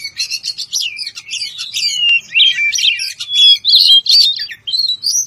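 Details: White-rumped shama, locally kacer, singing to call a rival: fast, busy run of scratchy chips and short whistles, with steady pure notes near the end.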